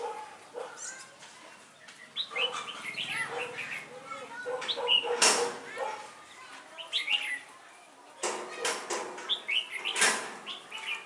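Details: Red-whiskered bulbul with a thick crest and bell-like voice, used as a decoy for trapping, recorded 12 November 2017: short liquid whistled phrases rising and falling, repeated in bursts, amid sharp clattering knocks, rustling and a man's voice.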